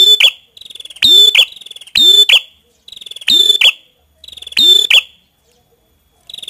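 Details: Prenjak kepala merah (prinia) delivering repeated shrill phrases. Each opens with a quick series of faint ticks and ends in a harsh, buzzing, high-pitched burst. Phrases come at about one per second, with nothing else audible.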